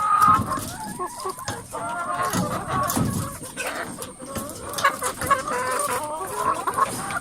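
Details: Lots of chickens crowded in a coop make a steady noisy chorus, a jumble of overlapping clucks, cackles and short squawks with no pauses.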